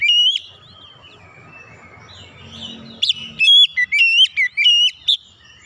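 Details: Oriental magpie-robin singing a lure song to draw other birds into song: one short whistle, a quiet noisy stretch, then a quick series of bright, wavering, sharply rising whistles.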